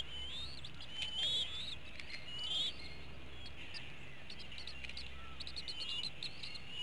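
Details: Eagle nest in Hanover, Pennsylvania, at evening feeding time in April 2017: eaglets give short high rising whistles in scattered bursts, loudest early on, with soft clicks and a constant low background hum.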